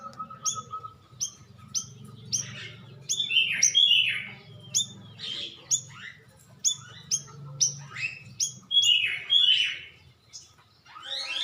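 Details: Stripe-throated bulbul call used to lure birds into answering: irregular high sharp chirps with downward tails, scattered louder chattering phrases, and a low rumbling background throughout.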